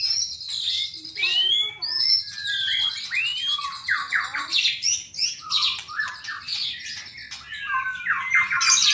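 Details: White-rumped shama in Indonesia, albino and blorok colour forms, delivering a dense, energetic song of rapid swooping whistles, sharp chips and harsh squawky notes run together almost without pause.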